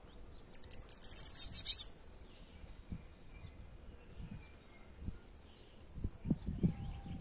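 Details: Bananaquit song: a quick string of sharp, very high-pitched notes speeding into a sibilant, wheezy trill, all over in under two seconds. Afterwards there is only faint low rumble and a few soft thumps.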